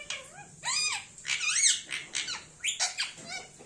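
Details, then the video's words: Indian ringneck parrot kept as a pet, giving a fast run of bright, harmonic squawks and whistled chirps that rise and fall, about six bursts in under four seconds, in a small quiet room. "Funny parrot sound video"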